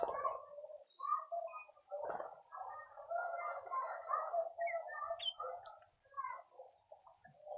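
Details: Speckled mousebirds at a feeder in a suburban garden in Pretoria, South Africa; soft, busy twittering and chattering at mid pitch, almost continuous with brief pauses, with a few higher sharp chirps scattered through.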